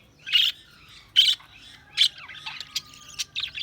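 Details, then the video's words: Budgerigars chirping: short bright chirps at irregular intervals, a few louder bursts separated by quieter chatter, with a faint steady whistle-like tone running underneath. "Budgies Chirping sound"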